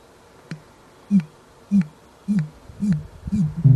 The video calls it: 大麻鷺/Great Bittern(Botaurus stellaris)singing